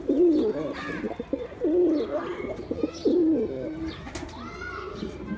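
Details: Low bubbling coos from male pigeons come in short rhythmic runs, each a quick series of throaty notes, with a brief softer whistle-like sound near the end.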